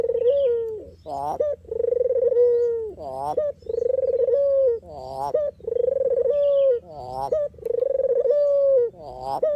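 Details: Puter or deruk dove for trapping and lure use, calling in a regular pattern of smooth level coos separated by short rising stuttered notes, about five cycles.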